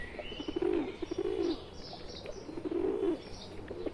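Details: Steady low purring coos from pigeons, a pet one mingling with wild birds in India, in two long phrases broken by short pulses; faint bird chirps and a high whistle behind.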